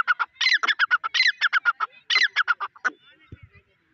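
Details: Grey francolin (white teetar) calling in a fast, insistent series of harsh, rasping notes, some doubled, repeated for about three seconds before ending in quieter low thuds.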